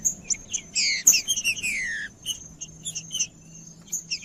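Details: Green-winged saltator male in vigorous song meant to excite another bird: a loud burst of slurred whistles and a long falling note early, then sparse short chirps, with a low hum and a steady high whine.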